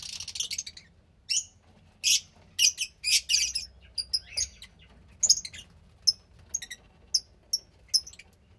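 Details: About 15-day-old captive Fischer's lovebird chick making harsh raspy bursts at first, then short, clear high chirps repeated roughly every half second.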